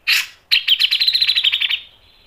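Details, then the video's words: Grey-cheeked bulbul sings a harsh opening burst, then a steady trilling chatter of rapid pulsed notes holding one pitch for over a second before fading, used as masteran tutor song. "MASTERAN CUCAK JENGGOT GACOR MBESET NGEPIK dan NEMBAK tajam | PANCINGAN CUCAK JENGGOT"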